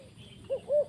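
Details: A spotted dove used as a decoy in a trap to lure wild doves down gives two soft, low, hollow coos, the first brief and the second longer and steady, against a quiet background.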